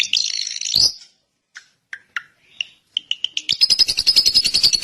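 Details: Drongo opens with a harsh, wavering phrase, then soft scattered notes and short whistles, building into a fast string of buzzy pulses.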